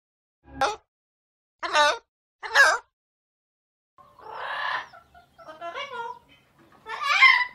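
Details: Ringneck parrot, apparently a pet, giving three short, harsh, rasping calls about a second apart, then a run of longer, scratchy, chattering notes. The room is otherwise quiet.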